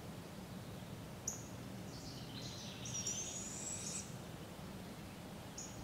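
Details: Barred owl fledglings fed by their parents and learning to hunt on their own in a local park, Polk County, Iowa, July 6, 2017. A faint, thin, high screech lasts about a second, with brief shorter high notes before and after, over a low steady rumble.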